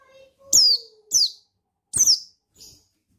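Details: Male buxtoni white-eye giving loud, high, downward-sweeping notes to provoke another bird, three strong ones and a faint fourth, over a steady low whistling tone at the start.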